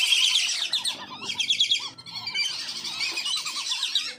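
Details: Wandering whistling ducks kept on a farm, recorded as a lure to call in wild ducks: a dense chorus of high, chattering whistles in bursts, with lower repeated piping notes beneath, briefly pausing near one and two seconds.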